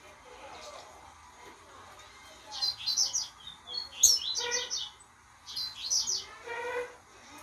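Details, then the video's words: Two-month-old young blue-black grassquit kept in a training cage, just beginning to sing: short, faint buzzy chirps in brief bursts at irregular intervals, with quiet pauses between. "filhote de tiziu no encarte (tui tui zero zero) começando a churria"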